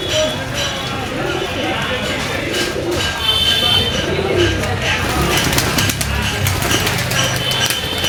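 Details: Morning feeding of a group of active pigeons: soft, throaty coos rise and fall in overlapping bursts, while a man calls to the birds and clattering noises and faint traffic run underneath.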